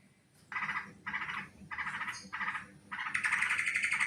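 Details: Sooty-headed bulbul lure calls for bird trapping: five short harsh chattering bursts spaced about half a second apart, followed by a louder continuous bubbly phrase.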